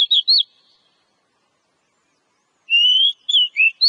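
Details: Kacer, the Oriental magpie-robin, singing to prompt kept birds to sing more: a short pair of looping whistles, a pause, then a long rising whistle followed by sweeping and dropping notes.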